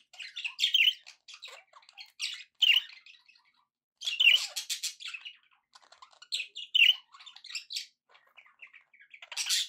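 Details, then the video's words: Cheerful pet budgerigar chatter, loud chirpy bursts of scratchy warbling about every two seconds, with softer twitters in between. "happy budgie sounds"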